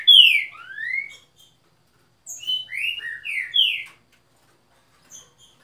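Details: Green-winged saltator singing. It opens with a loud, slurred whistle that falls, then gives a rising whistle. After a pause comes a second phrase of four clear, downslurred whistled notes. Background is quiet.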